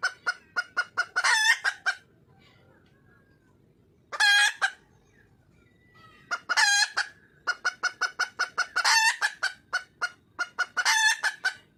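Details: A wild junglefowl hen calls for a mate in bursts of quick, staccato clucks, each burst ending in a drawn-out, strident cackle, separated by short quiet gaps filled with faint murmuring.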